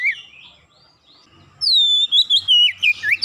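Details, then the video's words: Oriental magpie-robin song used to coax a silent bird; soft warbled notes first, then a loud, pure high whistle flowing into quick falling and rising slurred notes. "sekali pancing Kacer macet bunyi cepat gacor"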